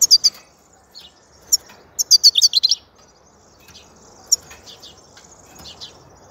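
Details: European goldfinch delivering rapid bright twitters: a dense run of high, chiming notes mid-phrase, flanked by a few isolated chirps and softer distant twittering.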